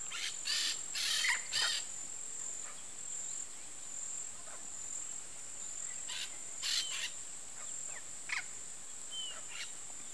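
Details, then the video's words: Pair of Peach-fronted Parakeets courting in a park in Campo Grande, Mato Grosso do Sul, Brazil: brief scratchy screeches bunched at the start, then sparser harsh notes in twos and singles, with a constant shrill insect drone behind. "Aratinga-estrela, eriquitos rei namorando, Eupsittula aurea, Peach-fronted Parakeet"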